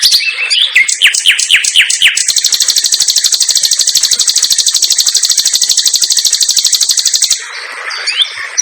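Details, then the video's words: Caged common nightingale, known locally as sikatan londo, in full song in a simple aviary with tight 'tembakan' bursts: falling chattering notes lead into a very fast, buzzy, high trill held about five seconds, then softer scratchy twitters. "KICAU SUARA BURUNG SIKATAN LONDO GACOR DOR TEMBAKAN RAPAT"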